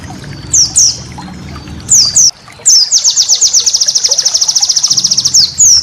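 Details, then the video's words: High-pitched white-eye, a training master for cage birds, gives a few sharp falling chirps, then a fast machine-gun trill of evenly spaced notes lasting about two seconds. A faint low hum is audible in the pauses. "masteran burung pleci"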